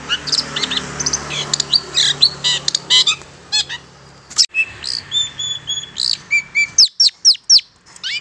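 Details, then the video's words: Lure recording of Long-tailed shrike for catching wild birds: scratchy chattering notes, then clear whistled level tones and a run of quick sharp down-slurred chips, about two per second. "Suara Pancingan Pikat Cendet Pentet Liar"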